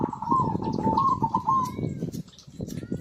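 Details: Zebra dove singing as a lure for silent birds: one long phrase of rapid, bubbling cooed notes rolling on for nearly two seconds, then fading into low rumbling noise with thin, higher chirps from other birds.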